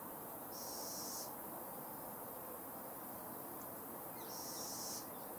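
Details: Young little owl, a fledgling, producing two long, breathy hissing calls about three and a half seconds apart, each harsh and airy, with a faint click between them against constant low background rumble.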